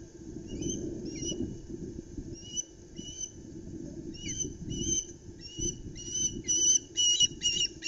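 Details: At a nest at Loch Arkaig, Scotland, a young osprey gives a series of sharp, high whistled chirps, about two a second, growing louder and more insistent as an adult arrives with a flapping flounder, over steady low wind rumble.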